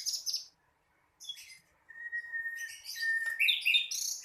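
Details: Sikatan londo, a young flycatcher practising its song: a quick high twitter, a pause, then a long steady mid-pitched whistle held twice, breaking into a loud jumble of varied chirps and trills.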